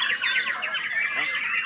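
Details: White-rumped shama (murai batu), a kept songbird, in a dense burst of scratchy, squawking notes and quick chattering trills packed together with no pauses.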